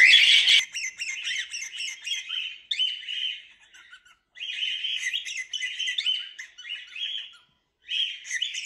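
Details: Cockatiels heard in a relaxing recording, giving repeated chirping phrases with rapid trilled notes, in bursts separated by brief pauses.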